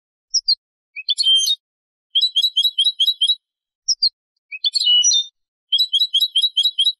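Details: European goldfinch hybrid singing for teaching young birds: clean high twittering phrases, short rising notes followed by rapid runs of bright repeated chips in bursts with silent gaps, no other sounds.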